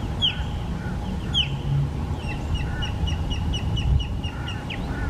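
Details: Osprey calling in Florida, captured on a Canon PowerShot SX70 HS: two loud, piercing down-slurred whistles, then a fast string of softer repeated chirps ending in another sharp slur, with low rumbling hum beneath.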